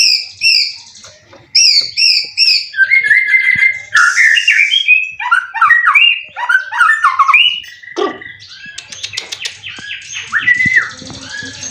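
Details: Competition white-rumped shama kept caged in Indonesia, three moults, twelve contest wins, with full 'cililin' material: high twittering trills give way to a long varied medley of whistles, rattles and slurred warbled phrases, loud and continuous.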